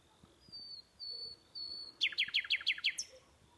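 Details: Night-time bird calls: three drawn-out, high, thin whistles, followed by a quick run of six or seven loud, sharp descending notes and a final rising squeak.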